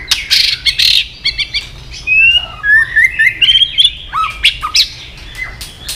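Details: White-rumped shama female chatter used to rouse males for fights: harsh rasping bursts and rapid clicks, then a sequence of bright slurred whistles climbing in pitch, with more clicks after.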